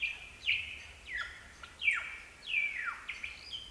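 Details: Superb lyrebirds recorded at Gibraltar Creek, ACT: a series of loud, clear, whistled notes sweeping downward, repeated roughly every 0.7 seconds with some varied higher phrases between, over a steady low background hum.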